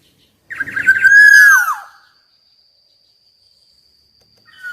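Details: Black-naped oriole with golden plumage gives a short, loud whistled phrase that arches and then slides downward, followed by quiet with a faint steady high tone.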